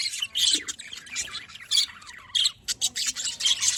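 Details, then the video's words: Budgerigars calling in the morning, a busy stream of high chirps, squeaks and harsh squawks that overlap with almost no pause, some bursts louder than others. "Budgies birds morning Sounds"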